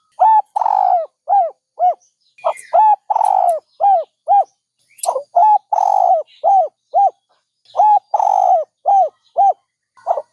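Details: Repeated soft, hollow coos from a dove, mostly short bowed notes alternating with longer, vibrating ones in quick sequences, with faint high twitters from other birds behind.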